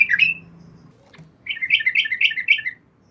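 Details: Female yellow-vented bulbul calling to the male at night, giving a short liquid note, a pause, then a quick string of about eight bubbly, warbling notes.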